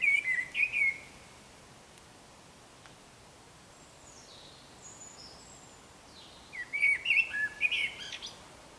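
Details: Pre-dawn Eurasian blackbird song in darkness: a low fluty warbled phrase, a long quiet gap holding faint thin high notes from a European robin in the background, then another rich phrase with a squeaky ending.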